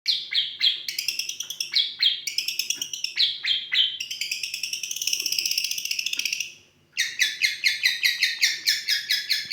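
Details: Long-tailed shrike song full of lovebird imitations: quick, high, chirping notes at about four per second, then a steady buzzy, wavering trill, a short silence, and a rapid rhythmic chatter of bright squeaky notes.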